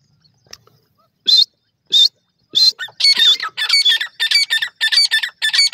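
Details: Partridges calling together: a few spaced, harsh, high squawks, then a fast run of loud, strident ringing notes repeated about every half second, with nothing else heard.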